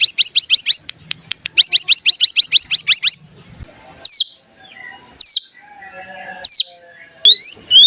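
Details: Cigun used as a decoy to stimulate other cigun to sing and perform the bren: rapid runs of sharp upslurred chirps in two bursts, then a sustained high thin whistle broken by abrupt swooping notes about once a second.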